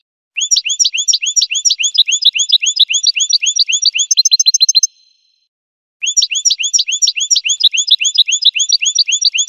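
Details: Goldfinch song: a long, fast trill of upswept chirps about three to four per second, shifting into a denser, buzzier run, then after a one-second pause the chirping trill resumes.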